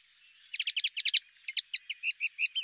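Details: Common linnet, a small brown finch with a rosy breast, singing a soft, pleasant twittering song: a quick series of paired buzzy chirps, a dense burst of about nine notes followed by a looser run of spaced notes.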